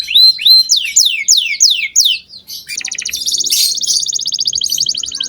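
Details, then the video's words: Canary song meant to prompt young canaries to sing: a short whistle, then a series of steep falling sweeps about every quarter second, ending in a long dense rattling trill. "Pancingan kenari gacor buat kenari paud"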